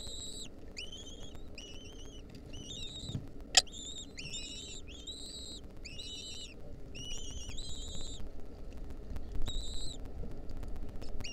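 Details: Wild lesser kestrel nestlings begging as their mother feeds them a mouse, 2023: repeated harsh, slightly wavering calls with strong overtones, about a dozen short bursts with brief gaps, over a low rumbling background and one sharp click.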